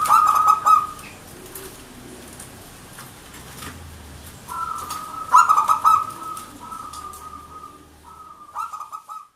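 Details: Perkutut, the zebra dove, singing gacor manggung song: rapid staccato cooing bursts, several in close succession midway, ending in a final short phrase.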